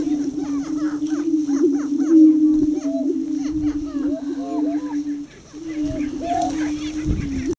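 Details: Young subdominant male greater prairie chicken displaying close to blinds at the edge of a lek, Tympanuchus Wildlife Management Area east of Crookston, Minnesota: a steady low moaning drone with rapid cackling and whooping chatter overlaid.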